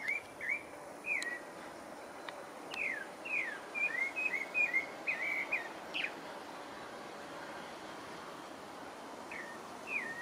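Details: Pale-breasted thrush (Turdus leucomelas) in French Guiana sings bursts of short whistled, slurred notes, a dense cluster in the middle and scattered phrases at the ends, against quiet background hiss.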